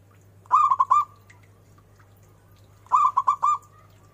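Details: Strong-voiced local zebra dove singing: two phrases of three or four fast, rolling cooed notes each closing in a short drawn-out whistle, spaced about two and a half seconds apart.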